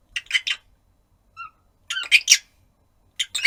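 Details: Harsh squawking chirps from a one-year-nine-month-old pet rosy-faced lovebird calling out for its owner, grouped in quick runs of three or four, with one softer, clearer short note between bursts.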